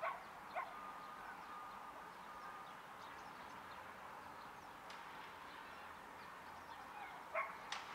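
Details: Hooded crow giving a few short, harsh, barking caws, one at the start and a quick pair near the end, over steady outdoor hiss.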